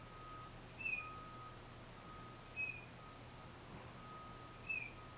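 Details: Tufted titmouse alone, recorded via Nikon D3500 and Tamron 500mm lens, repeating a two-part phrase of a high piercing note and a lower whistle, three times, over a low steady hum.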